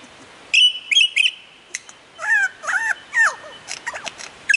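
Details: Mimicking lyrebird with a piercing steady whistle broken by quick chirps, then looping, warbled notes that rise and fall over a quiet background.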